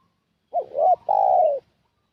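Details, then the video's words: Spotted dove decoy call used to lure wild doves: a clear two-part coo, a short wavering note followed after a brief gap by a longer, steady, slightly falling note; quiet background. "Suara Pikat Burung Tekukur"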